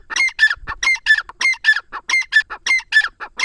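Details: Steady, rasping rhythm of a grey francolin, the teetar of Dera Ghazi Khan, Pakistan: loud grating double notes paced evenly, several phrases per second, continuing throughout without pause.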